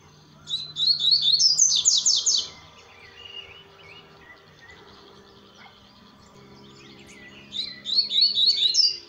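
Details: Double-collared seedeater at dusk, delivering high trilled song phrases of quick repeated sweeping notes that build and rise, separated by a quiet pause with faint twitters, then a second phrase at the end.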